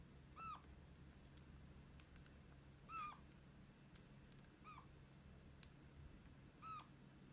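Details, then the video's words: Four plaintive, mew-like squeaks from a pet red-crowned parakeet, each a short bright note dropping at its end, spaced one to two seconds apart. A steady low household hum and one sharp click are also heard. "Как разговаривает какарик"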